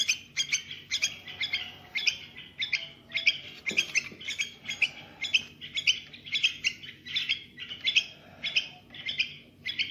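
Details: A young bulbul singing, used to stir other bulbuls into activity, gives bright, chattering notes in quick bursts, about two a second, with a low background hum.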